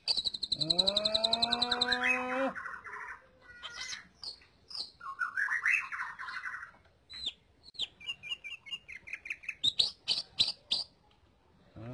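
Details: Lesser green leafbird song for training other birds: a harsh grating buzz with a high whistle above, rolling chattering phrases, then a quickening string of sharp clicking notes and chips.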